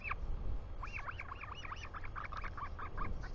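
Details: Royal albatross chick welcoming a parent home in New Zealand, July 2020: rapid chattering string of short wavering squeaks, over strong wind rumble.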